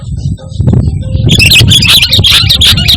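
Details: Sooty-headed bulbul from Indonesia singing lively without mimicked phrases, for calling and tutoring pet birds; about a second of quiet hum, then a sudden rush of rapid bright chirps and twitters.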